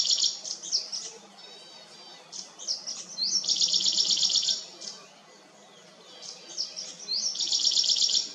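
Blyth's reed warbler singing high, varied chirps and slurred notes, broken by two bursts of a fast, evenly repeated note lasting about a second each.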